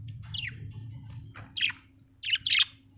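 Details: Happy pet budgerigar giving a quick series of scratchy chirps and short descending notes, the last ones bunched together, over a faint low hum.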